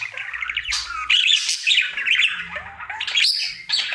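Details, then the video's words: Indoor pet budgerigar male performing his daily singing routine, a busy chattering warble of rapid clicks, squeaky chirps and buzzy notes, with quick rising and falling trills and a faint low hum beneath. "Budgie singing for 1 Hour Happy song!"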